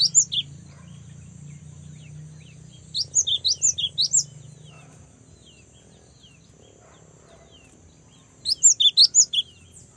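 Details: A young cinereous tit repeats short phrases of rapid, high, sharply slurred chirps at the start, around three seconds in, and near the end. Quieter intervals fall between phrases over a faint steady hiss.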